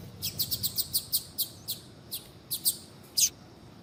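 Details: Female double-collared seedeater calling to stimulate a male to sing, giving a steady run of short, high, clipped notes that slows and ends with one louder chirp.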